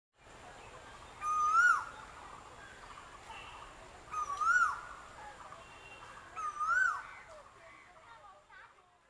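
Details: Asian koel singing in spring, giving three loud, rising two-note whistles, each lifting sharply at the end, spaced about two to three seconds apart, over a faint high insect hum.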